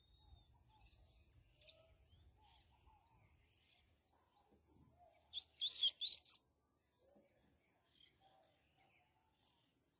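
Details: Canto Grego song style of a double-collared seedeater, used to teach young birds: a single rapid phrase of sharp, swooping warbled notes near the middle, with sparse soft chirps elsewhere, low background rumble and a steady high tone.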